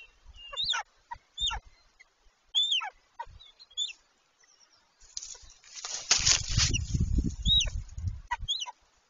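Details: Golden eagles mating on their nest, 26 March 2023; sharp, high, descending yelping calls given in an irregular series, followed by a heavy rush of flapping wings, with more yelps near the end.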